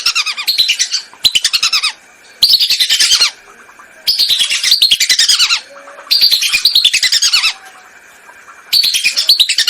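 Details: Hunting lure recording of lesser whistling duck: loud, dense bursts of rapid twittering whistles lasting about a second each, dropping in pitch as they end and repeating after short pauses over about ten seconds.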